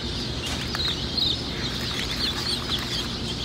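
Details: Easter Egger chicks make faint, high-pitched peeps, a few short chirps scattered through a short stretch over a constant low background hum.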